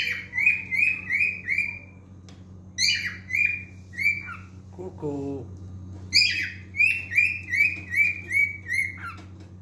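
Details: Male cockatiel song in repeated phrases of clear whistles, roughly three a second, interrupted midway by a brief harsher, lower sound, then resuming with a longer run of notes.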